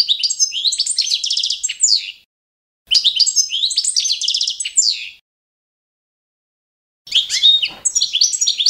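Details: Training recording of Balkan goldfinch song, Carduelis carduelis balcanica, to the adopted competition standard: three bursts of fast rattling trills and twitters, each about two seconds long, separated by brief silences.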